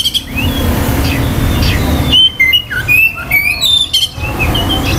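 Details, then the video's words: Oriental magpie-robin song, said to stir other males' aggression and breeding drive: scattered soft whistles, then a two-second loud burst of warbled whistles and quick trills, with a low rumble throughout. "KICAUAN KACER || CEPAT MERANGSANG KACER LAIN TERDONGKRAK EMOSI DAN BIRAHINYA."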